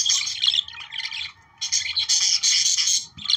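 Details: Chattering Australian budgerigars, played to stimulate breeding, produce uneven flurries of rasping, twittering notes, dipping briefly quiet midway before a louder sustained run of warbles.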